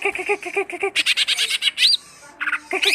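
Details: Short burst from a greater green leafbird: quick repeated nasal notes shifting into brighter, higher chattering, then a single rising whistle and a few closing notes.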